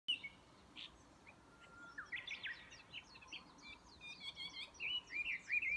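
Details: Chinese hwamei at Yudanaka Onsen, Yamanouchi, Nagano, Japan, on 12 May 2020, giving a run of loud, varied whistled phrases, slurred and rising, with quick repeated notes; faint background hiss.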